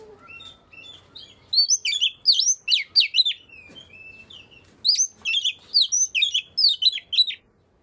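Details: Oriental magpie-robin song played to encourage reluctant birds to sing: two bursts of rapid, sharp whistled notes repeated several times, separated by a quieter gap with faint background noise.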